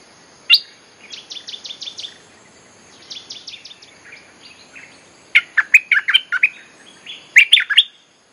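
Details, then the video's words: Lure recording of a bulbul for calling wild birds: an isolated chirp, two short runs of fast repeated notes, then loud choppy chirping phrases. "เสียงนกดอกแตงEp.183.ฟังกันยาวๆ เพลงหัดลูกเสอ ใช้เรียกนกป่า Suara pikat merbah lekir gacor"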